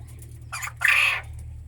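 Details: A caged quail gives a short raspy note, then a louder, harsh, buzzy note lasting about half a second, over a steady low mechanical hum.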